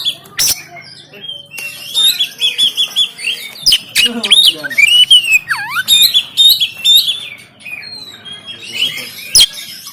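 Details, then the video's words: Oriental magpie-robin kept caged in Banten, phone-recorded, pouring out loud rich whistles, wavering trills and a deep swooping note, punctuated by harsh clicks; used to spur sluggish birds into singing and tail-spreading. "KACER TEMBAKAN KASAR‼️Full Emosi Dongkrak Kacer Yang Malas Bunyi Dan Buka Ekor"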